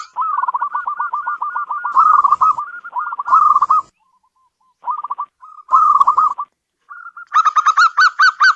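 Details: Local perkutut, the zebra dove, delivering long strings of rapid staccato coos with short rolling flourishes, a few quiet gaps, then a closing series of fuller, rising-falling notes.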